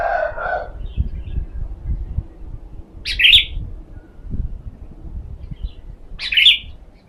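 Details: Lure sooty-headed bulbul being sunned, delivering two brief, bright warbled bursts roughly three seconds apart, with a muffled low call at the start and soft background rustling.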